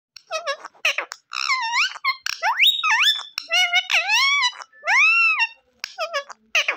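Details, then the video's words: Green ring-necked parrot talking in Urdu/Hindi, saying "mian mithoo": a rapid string of high, nasal, voice-like syllables with swooping rising and falling tones, short bursts separated by brief pauses, indoors. "Beautiful Parrot Speaking in Urdu | Parrot Speaking in Hindi"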